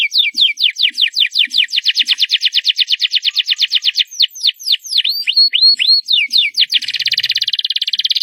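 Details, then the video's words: A loud canary song of quick, regularly repeated downward slurs building into a fast series, then curled rising whistles and a closing dense buzzing roll; faint low ticks beneath. "CANARY SINGING LOUD!!"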